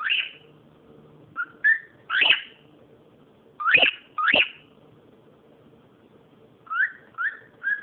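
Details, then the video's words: Cockatiel making noise, loud whistled calls in bursts: short upslurred whistles, several sharp rising-falling shrieks near the middle, then a run of three quick similar whistled notes at the end, low hum behind. "calopsita fazendo barulho"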